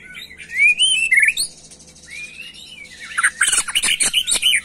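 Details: Macul-style song from an agitated white-rumped shama: rising and falling slurred whistles, a short gap, then a loud rush of rapid, sharp chirps and buzzy notes.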